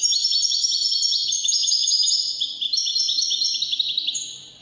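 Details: European goldfinch singing in the Moroccan Wydani style: a fast, continuous run of bright twittering and tinkling trills with short buzzy notes, high-pitched and unbroken throughout.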